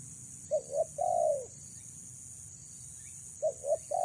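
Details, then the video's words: Female spotted dove kept to lure males into a trap: two brief low coos and a longer falling coo, a pause of about two seconds, then the short coos start again. "BURUNG TEKUKUR BETINA PREM4N MENGH4JAR PIKAT"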